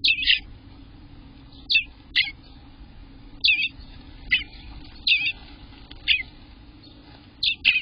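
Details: Eastern bluebird nestlings, 18 days old, in their nest on June 24th, 2021, between 6 am and 1 pm: short high chirps, some paired, come in bursts every second or so over a steady low electrical hum.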